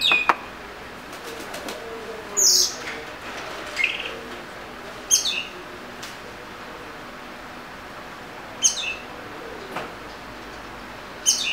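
Oriental magpie-robin giving short, high whistled phrases with a sharp downslurred note, spaced a few seconds apart over a quiet, steady background hiss.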